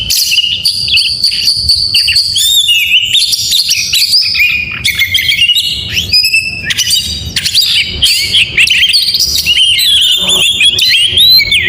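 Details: A morning oriental magpie-robin delivers a long, varied song of high whistles, descending slurs, chirps and harsh chatter, continuous and loud throughout.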